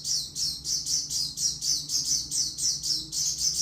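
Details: Oriental white-eye in song: a rapid string of high, thin chirping notes, about four per second, steady and insistent, with a faint low hum behind.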